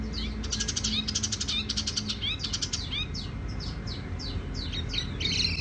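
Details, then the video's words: Tiểu mi songbird singing softly and resonantly: fast buzzy trills of clicking high notes, then a run of clear downslurred whistles and twittering phrases, with a low background hum. "Chim tiểu mi hót tiếng vang dịu"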